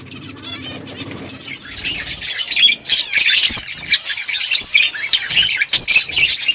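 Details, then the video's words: Several finches chirping while eating food. After a quiet start, dense bursts of high, sharp tweets overlap rapidly and continuously from many birds at once. "Beautiful finches eating food birds chirping sounds"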